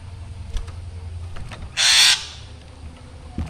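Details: Black drongo in full voice, said to sound eerie, giving a single loud, hoarse, rasping burst lasting about a third of a second over a low steady hum and faint clicks.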